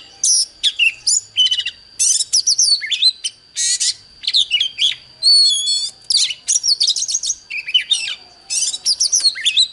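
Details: Oriental magpie-robin singing in a duel against a wild bird: loud bursts of varied high whistles, rapid trills and sweeping notes in short phrases separated by brief pauses, over a steady faint high whine.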